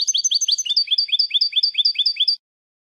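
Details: European goldfinch song used to teach young goldfinches: rapid bright twitters switching to an even series of clear, paired chirping notes, about five per second, then silence.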